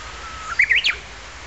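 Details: Japanese bush warbler singing near the south gate of Kairakuen garden: a long, steady, faint whistled note, then a quick flourish of clear, rising and falling whistled notes, ending in a sharp downslurred note, over a quiet background.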